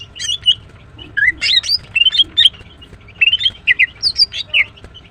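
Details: Morning chirping of a female greater green leafbird, a kept bird: lively, continuous run of quick, slurred whistles and chattering notes rising and falling, delivered almost without pause.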